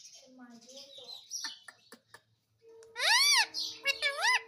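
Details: A pet Indian ringneck parakeet talks in a high, nasal, childlike voice, with short word-like phrases such as "Mummy" and bright rising-falling squawks at the end.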